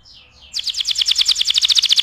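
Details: Canary song meant for tutoring other birds: two soft sliding notes lead into a loud, rapid trill of sharp down-slurred chips repeated about eight times per second.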